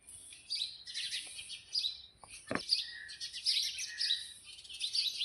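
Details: Sparrows chirp busily and noisily outside a house in the early morning, making a dense overlapping chatter of short, bright high notes.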